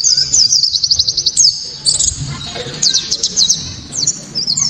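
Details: Sharp, high white-eye song of the 'tembakan' type, used to provoke others of its kind and for teaching songbirds: fast ticking trills and bright chirps in quick bursts, with brief breaks between runs.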